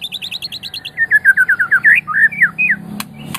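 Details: Medan white-rumped shama, champion quality, singing to encourage other birds: a high rapid rattle of notes, then a series of loud rising whistles and twisting slurred phrases, ending with clicks.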